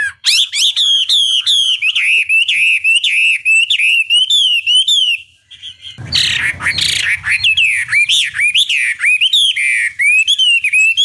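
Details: Chinese hwamei, long lure song to make another hwamei sing back; sustained loud warbling whistles with quick repeated slurs, a brief pause, then a harsher burst followed by more looping whistled phrases.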